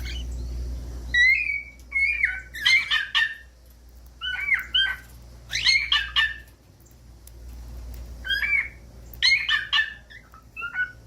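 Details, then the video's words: Cockatiel giving scattered bursts of sharp chirps and harsh squawks, clustered in short groups every few seconds. A low steady hum runs underneath throughout. "CANTOS DE CALOPSITA"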